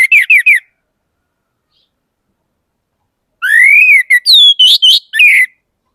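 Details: Orange-headed thrush sings quick repeated downslurred notes, then a long rising whistle followed by a run of varied, jumpy high notes and a falling slur. The background is silent.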